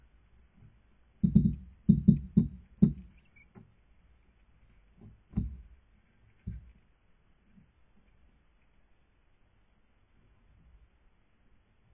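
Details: A few low knocks and thumps in a small room, with no animal voice.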